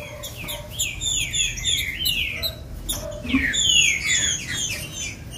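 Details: Green-winged saltator song, played to fire up captive birds: a dense run of loud, slurred whistles that slide downward, overlapping phrases packed closely with almost no pause, over a low background rumble.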